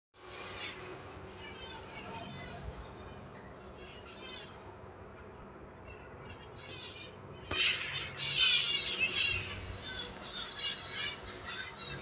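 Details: Zebra finch chicks, a brood of five from an undersized pair, give rapid, high, wheezy chirps that grow louder and busier partway through.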